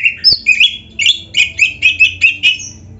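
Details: Oriental magpie-robin in full 'gacor' song, used to train caged birds: a steady series of short, bright, whistled and slurred notes, about three per second, with a faint low hum beneath.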